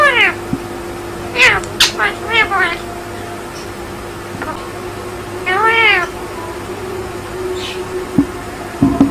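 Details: Indian ringneck parakeet kept as a pet talking: two clusters of nasal, harmonic word-like phrases with rising-falling inflections, separated by a pause, over a steady low electrical hum and faint clicks.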